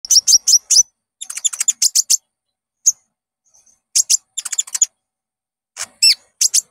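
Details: Common Iora (konin) song used as a lure to set caged birds singing: bursts of sharp, high chirps in quick runs, with brief whistled notes between short pauses, in clean quiet surroundings.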